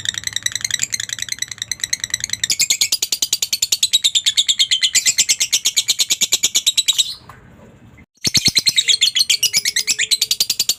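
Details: Lovebird giving a long ngekek chattering song, used as training audio for other lovebirds: rapid harsh chirps about three per second, shifting and rising in pitch, broken by a brief near-silent pause before resuming.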